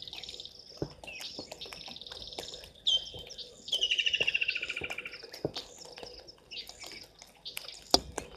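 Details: White-faced whistling ducks at Gowrie dam waterhole, Djuma Game Reserve, Sabi Sand, South Africa, at 17:52 on 02/12/2023; a high whistled note, then a rapid descending run of clear pulsed whistles, over steady high insect chirping and scattered clicks.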